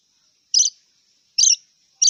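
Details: Wild long-tailed shrike uttering short, rough chattering bursts spaced nearly a second apart, against a faint thin background tone.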